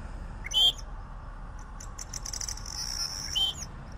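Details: Two loud, harsh, buzzy notes from a southern grey shrike, nearly three seconds apart, with a thin high hiss and faint chips in between.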